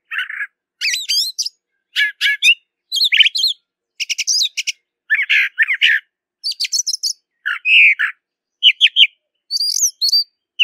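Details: Brown thrasher (Toxostoma rufum) singing in nature: a long run of varied, short buzzy and whistled phrases, mostly high-pitched, separated by brief pauses, with some notes given twice in quick succession.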